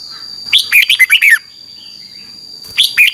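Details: Red-whiskered bulbul morning competition song, 'ché căng' style: one quick warbled phrase of five or six bright, falling notes, a quiet gap with a steady high whine, then the next phrase starting.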